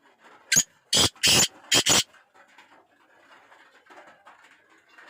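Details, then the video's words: Black francolin, known locally as kala teetar, gives its full harsh phrase: one short rasp, two longer grating notes, then two quick clipped notes. A quiet room hum follows. "Pure laka kala teetar ki awaz"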